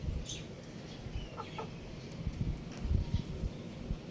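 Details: A young rooster outdoors gives short, low clucking notes in irregular bursts, some in quick pairs. Faint high chirps from other birds and a steady background hiss are also heard.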